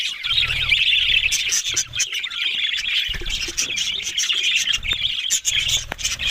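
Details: High twittering and squeaky warbles from a group of budgerigars run throughout, broken by sharp ticks, while an intermittent low buzzing hum comes and goes beneath the birds.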